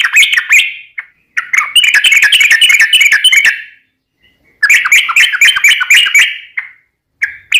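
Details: Yellow-vented bulbul (trucukan) singing steadily in a lure recording: long rapid phrases of bubbly, liquid chattering notes, broken by a brief pause and followed by a shorter slurred note.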